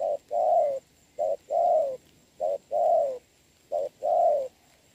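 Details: A decoy spotted dove and a wild bird cooing in the rain, 26 November 2022. Soft, hollow coos arrive as short-long pairs, the long note swelling and falling, four pairs in five seconds.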